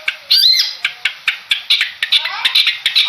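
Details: Long-tailed shrike of the Madura type, a contest bird, giving harsh, scratchy high notes in quick bursts. It starts with a rising squawk, then sharp repeated clicks and rasps roughly every quarter second.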